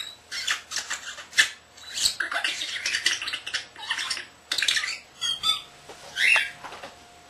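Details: Young pet common starling talking and mimicking sounds indoors: rapid clicking, rattling and scratchy chatter in dense bursts, with a few squeaky whistled notes.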